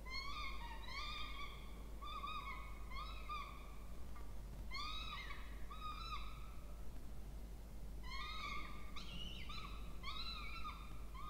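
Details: Begging peregrine falcon chicks, two, fed in a nest box in a water tower at Charles Sturt University, Orange, Australia, 20 October 2024; clustered shrill arched wails, short lull mid-clip, then renewed overlapping calls.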